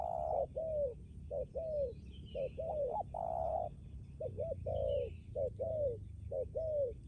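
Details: ['Lâm Đồng spotted dove used as a decoy for trapping wild doves, cooing strongly. Low two-note coos run in a steady series, with one longer droning coo in the middle. Faint chirps from other birds sound behind it.']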